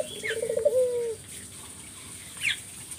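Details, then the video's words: Single spotted dove phrase from a 'gacor' lure recording meant to make other doves reply: a short quavering trill easing into a soft falling coo, then quiet with one high chirp from another bird. "Burung puter mana yang ga ikut nyaut kalo dengar GACORAN puter ini"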